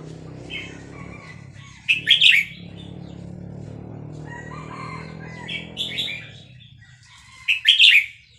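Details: Excited Vietnamese red-whiskered bulbul singing along to a recording of hatched chicks, fast linked-phrase style; three loud rich warbling bursts spaced several seconds apart, separated by softer twittering over a steady low hum.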